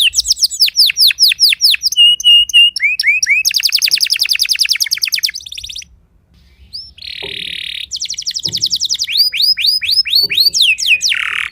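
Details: Timbrado canary singing at dawn practice: falling whistled tours, a steady low trill, a long rapid buzzing roll, brief pause, then more sweeping repeated notes ending in a harsh slur.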